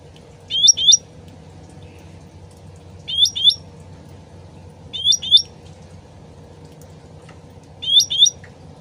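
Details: Sooty-headed bulbul lure with original voice and trickling water: short doubled upslurred chirps repeated roughly every two seconds, four bursts in all, with a steady low water murmur.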